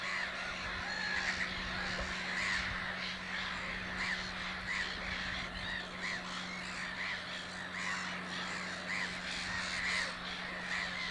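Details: Nesting black-headed gulls at Naturum, Hornborgasjön, one pausing from nest building to preen; scratchy, rising-and-falling squawks repeat every second or so over a thick background chorus and a faint low drone.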